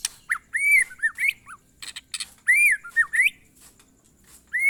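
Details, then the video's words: White-rumped shama singing the monotonous glondong style, repeating a pattern of arched whistles and short slurred notes several times, separated by noisy clicks. "suara burung murai batu "MONOTON"alias GLONDONG"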